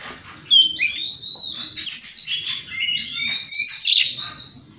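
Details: Provoking song of a white-rumped shama: long slurred whistles that glide up and down, broken by two loud, rough bursts, with faint low hum underneath.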